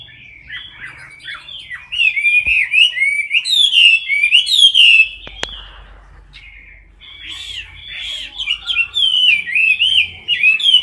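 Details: Caged Chinese hwamei, filmed close up while competition singing, delivers long, fast streams of loud, varied warbling whistles with abrupt upward flicks, broken by a short pause and a couple of sharp clicks before the song resumes.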